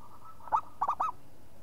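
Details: Local zebra dove in Indonesia, an actively singing bird: one short burst of three quick mid-pitched cooing notes, the first slightly apart, the last a brief rising-falling coo, over a quiet low background hum.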